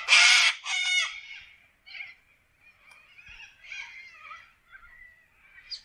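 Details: Wild corellas calling in an Australian forest: two loud, harsh, ragged screeches open the recording, then softer scratchy chatter and squawks trail off over several seconds.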